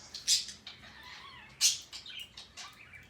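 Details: A male pet parrot making a sound it is described as doing for a long time today: two loud, sharp, high chirps separated by about a second and a half, with softer scratchy twitters between them.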